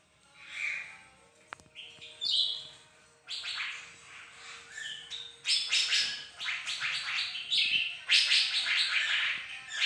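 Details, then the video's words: Bright-morning song from a bird-of-paradise: a quiet opening with a few clicks, then loud bursts of scratchy, buzzy chatter from about three seconds on, packed closer together toward the end. "bagus si burung surga lagi gacor"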